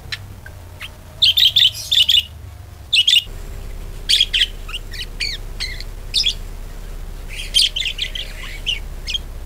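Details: Budgerigar calls intended to draw other budgerigars into song. Quick bursts of sharp, high chirps early on, then softer scattered twitters over a steady low hum.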